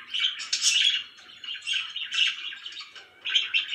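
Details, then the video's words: Pet budgerigars, described as very happy, chirping in bursts of warbled, buzzy chatter with short pauses between phrases; several birds seem to overlap. "VERY HAPPY BIRDS #chirpingbirds #budgie"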